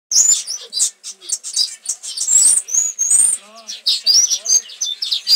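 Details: Nonbreeding paradise whydahs give a busy run of thin, high chirps and short whistled slurs, almost without pause; a brief human voice cuts in midway.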